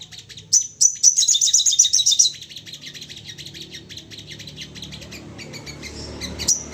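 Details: Crested jay in an excited state, calling as a prompt for other birds: a sharp whistled note, then a fast high rattle lasting about a second, followed by softer scattered chatter and faint background hiss.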